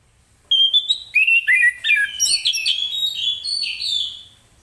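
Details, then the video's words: An orange-headed thrush sings vigorously in the morning in the 'ngeplong' style, meant to get other birds singing. Rapid, loud, varied whistles climb and tumble into a dense four-second run of overlapping phrases. "Anis Kembang Ngeplong Gacor di pagi hari"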